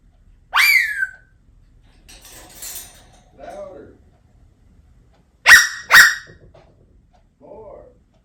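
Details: A pet African grey parrot, asked to sound the alarm as if a burglar came in after its owner left the room, gives piercing, shrill whistled shrieks: one early, then two quickly, with soft human voices between.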